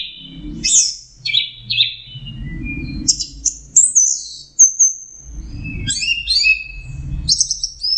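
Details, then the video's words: Full teler song from an orange-headed thrush: tumbling whistled phrases, a high drawn-out note, then quick varied twitters, with low rumbling noise in between. "suara burung anis merah sedang teler"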